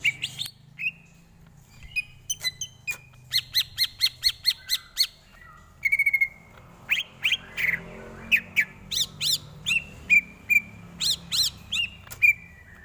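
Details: Greater green leafbird singing a tutor song for training birds: a varied mix of sharp chips, rapid repeated ticking notes, downslurred whistles and buzzy upsweeps, delivered in bursts over about thirteen seconds against quiet low background noise.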